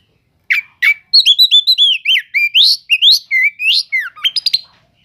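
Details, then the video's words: Oriental magpie-robin singing to provoke slow-reacting magpie-robins, cele'ngan style: after half a second of silence, two sharp notes lead into a lively, varied series of rising and falling whistled slurs. "Pancingan untuk burung kacer yang lambat emosi.setelah dengar kicauan kacer cele'ngan ini"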